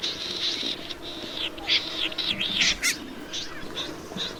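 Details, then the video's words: Snipe with a drawn-out, wavering buzzy sound broken by several rough, scratchy notes, then a few softer spaced calls near the end amid background hiss. "Tiếng chim Rẽ Run"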